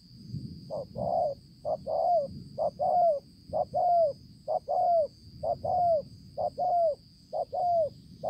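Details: Spotted dove used as a decoy bird, 5 September 2020, repeats a rhythmic two-part coo about once a second: a short hoot then a longer note sliding slightly downward, twelve pairs in steady succession over a faint high drone.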